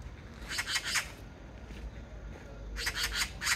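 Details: Oriental magpie (Pica serica) in Korea gives two bursts of harsh, rasping chatter, each a quick run of scratchy notes, separated by a short pause over a low background rumble.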